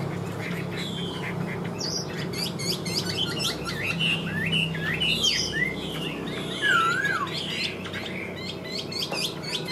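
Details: Chinese hwamei kept caged in Vietnam, said to sing without pause once hung up. Medium-loud jumble of short slurred whistles and chirps with one louder twisting note and low background hum.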